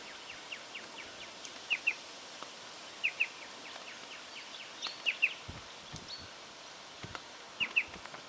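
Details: Striated pardalote calling in Victoria, Australia, in October 2011: sharp paired high notes, a quick double chip repeated every one to two seconds over steady background noise, with a few faint low rustles.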